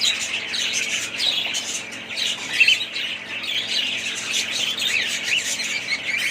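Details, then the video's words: A family of pet budgerigars chattering together: dense, continuous high chirps and squawky warbles overlapping throughout, with brief louder squeaks near the middle. "family budgies parrots"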